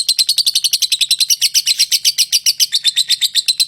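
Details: Lovebird giving a fast, continuous run of shrill high chirps at nearly four per second, steady and unbroken throughout.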